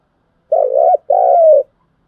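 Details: Spotted dove giving a loud, deep coo, a sound used to train decoy birds for trapping. Two joined notes, the first undulating, the second longer and gently sliding downward, with silence around them.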